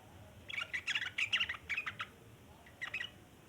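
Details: Long chattering song of a sooty-headed bulbul: a fast, bubbly burst of rough chirps lasting about a second and a half, silence, then a short closing flurry of chatter.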